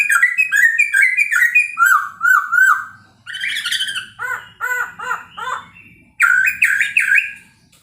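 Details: Morning song of a Chinese hwamei meant to stir rival birds: varied whistled notes slide and repeat, then a run of short stacked, chattering notes and a burst of bright upslurred whistles.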